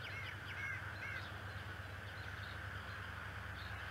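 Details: Bald eagle father at Decorah, morning, 11 March 2018, beak draped with feather and grass: three clear, high, down-slurred squeals in the first second and a half, then faint chirps under a continuous hum.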